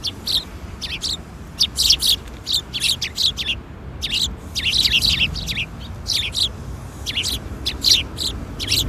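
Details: Several sparrows arriving to be fed at a Tenmangu shrine, afternoon of 13 April 2021; dense, overlapping bright chirps and twitters in quick irregular bursts throughout, with only brief pauses, above soft low background hum.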